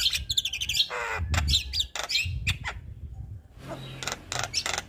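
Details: Male Javan myna serving as a song tutor for other mynas: rapid chattering notes and buzzy harmonic phrases, then a quiet pause, followed by harsh noisy bursts and sweeping whistles; low thumping noise underneath.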